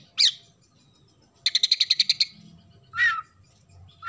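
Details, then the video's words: Oriental magpie-robin singing with house sparrow mimicry: a harsh chirp, then a quick rattle of about eight even pulses, followed by two more rough, lower chirps. "KACER GACOR ISIAN GEREJA"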